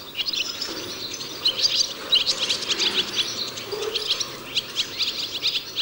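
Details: Several barn swallows in a cowshed in mid-May, squabbling over the best old nests, twitter in a busy, overlapping stream of high, quick chirps and squeaky trills over a faint low hum.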